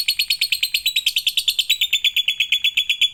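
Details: Rapid lovebird chatter meant as a lure for lovebirds to start singing: a stream of shrill, evenly spaced chirps, about seven a second, edging gradually downward in pitch.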